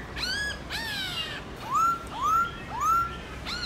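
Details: Black-throated laughingthrush singing in the morning in forest-style contest voice: harsh, broad rasping calls, then three clear rising whistles about every half second, with a faint hum in the background.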